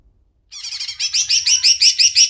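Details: Greater green leafbird (cucak ijo) singing vigorously in an Indonesian training recording: after half a second of quiet, a quick run of bright, high, repeated chirps, each phrase a rising-falling twist, about five per second.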